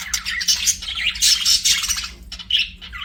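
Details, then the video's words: Chirping budgies in an aviary, a continuous burble of scratchy warbles and bright whistled tweets rising and falling, with a low electrical hum behind. "BUDGIE CHIRPING SOUNDS"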